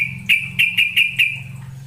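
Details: Lure call of a sooty-headed bulbul meant to make a bird sing: five short, clear, sharp notes repeated quickly, with a steady low hum throughout.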